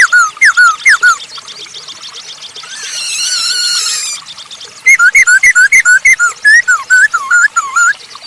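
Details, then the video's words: Lure song of a masked laughingthrush for stirring other birds: a run of dipping whistled notes, a long harsh buzzing chatter, then a fast series of about a dozen falling whistles. "Burung poksay hongkong gacor untuk pancingan !!!"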